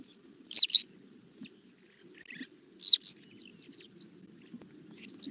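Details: Eurasian skylark flight call in winter, Halvergate Marshes, Norfolk: two sharp, rolling chirrups about 2.4 seconds apart, high-pitched and liquid, with a faint low murmur underneath.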